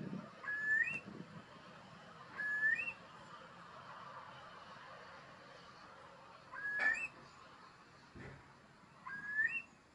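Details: Eurasian curlew, an endangered bird in Bavaria, in the Deggendorf district of Lower Bavaria, giving four clear, rising whistled calls two to four seconds apart, over a soft background hiss and low rumble.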